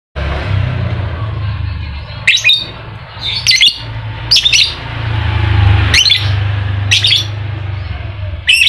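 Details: Lovebird used as a lure to get a quiet lovebird singing its ngekek song: harsh, shrill chattering bursts about once a second or less, over a steady low hum.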